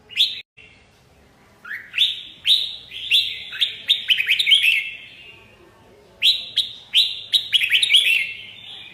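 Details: Red-whiskered bulbul pouring out two long bouts of rapid, rollicking whistled notes, each opening with a rising slur. A quiet pause of about a second separates them.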